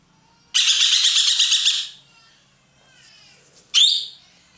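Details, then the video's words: Loud ekek keling, a roller prized in Indonesia as a tutor bird for songbirds, giving a long rasping, pulsing burst followed after a pause by one sharp upswept cry. "burung ekek Keling gacor nembak"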